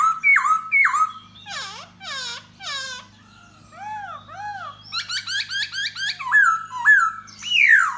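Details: In a courtship display of song and dance aimed at a female, a khướu da bò laughingthrush mixes hooked whistles, harsh rasping bursts, soft arched notes, rapid chattering pips and a final bright slurred phrase.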